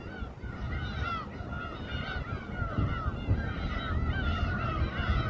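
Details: Chorus of gulls above a fishing boat at Samgilpo port, Seosan, Korea, while fish is cut on board; fainter, overlapping rising-falling mewing calls over steady low rumble.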